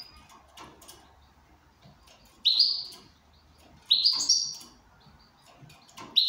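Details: Goldfinch in good condition singing indoors, producing loud high twittered chirps roughly every one and a half seconds over a background of low hum and clicking.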